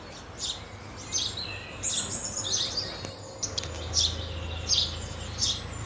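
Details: House sparrow calls: scattered short chirps mixed with a thin, high, wavering whistle, spaced unevenly, above a soft low hum.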